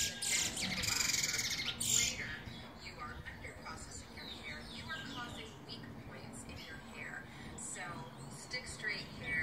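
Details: Black Trinidad bullfinch (chestnut-bellied seed finch), a proven teacher bird, 2020, sings a quick run of bright chirps and twittering notes; a voice murmurs and a harsh rustling is heard at the start.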